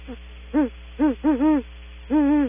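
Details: Great horned owl vocalizing as it leaves the nest cavity, at Audubon Starr Ranch: a soft note, then four arched, harmonic-rich hoots, the last long and wavering, with a steady low electrical hum beneath.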